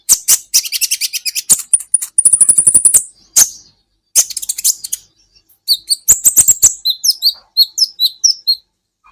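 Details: Olive-backed sunbird (kolibri ninja) song used as a training recording for cage songbirds: very high, sharp chirps in fast bursts, a thin rapid trill near the second second, then scattered squeaky twittering notes.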